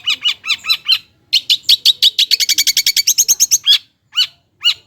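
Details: Long-tailed shrike (cendet) song used as a lure to provoke lazy birds into singing: rapid series of sharp chirped notes, first spaced, then a fast run of about twenty, ending in scattered single chirps.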